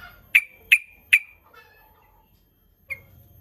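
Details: Sooty-headed bulbul giving a lure call meant to draw rival bulbuls to reply: three quick, sharp chip notes about a third of a second apart, faint softer notes after, then one more lone chip.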